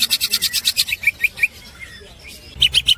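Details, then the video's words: Green leafbird (cucak hijau) master recording for training songbirds, full of snickering 'ngekek' phrases: rapid series of sharp chattering notes about eight per second, descending in pitch, a brief pause, then another fast burst. "the master of the green cucak bird is full of melodious snickering"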